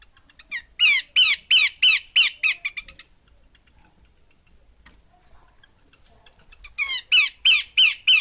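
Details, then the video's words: Female Horsfield's babbler giving loud, harsh, descending chattered notes in a rapid series of about a dozen, fading out, then a fresh burst of strong repeated notes after a pause. "Burung Pelanduk Semak Betina"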